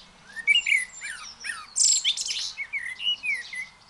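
A blackbird sings a rapid, varied run of whistled phrases mixed with high twittering and scratchy notes, with almost no pause between them.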